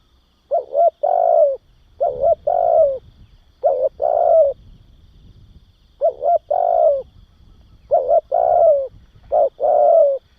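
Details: Spotted dove song used to rouse and train young doves, recorded free of background noise: six repeated phrases, each two quick hoots and then a longer throaty coo that sags at the end, delivered in loose pairs.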